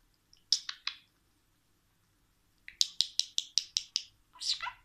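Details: A budgerigar talking after training, apparently saying 'Aşkım Miniş', in high, scratchy, clipped syllables delivered in quick bursts.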